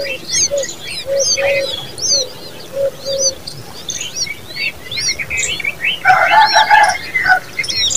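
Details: Chicks of the common babbler beg with quick high chirps and squeaky notes; low hoots sound early on, and a harsher buzzy burst of calls rises near the end.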